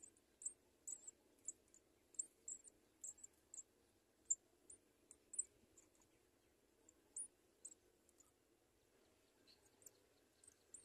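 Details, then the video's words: House sparrow adults feeding two chicks; brief, thin high cheeps scattered irregularly, about one every two seconds, some in quick pairs, over a quiet low-pitched murmur. "HOUSE-SPARROW BIRDS FEED THE TWO LITTLE BIRDS"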